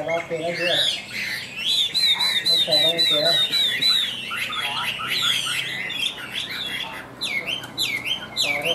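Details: Chinese hwamei, Tam Hoàng type, kept in a cage and sung high: a dense, fast run of looping whistled notes that slide up and down, with brief lower chattering phrases mixed in.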